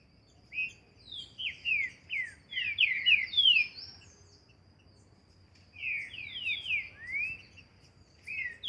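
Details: Green-winged saltator singing outdoors as training, bursts of rich descending whistles in two phrases separated by a short pause, with faint high twittering in the background.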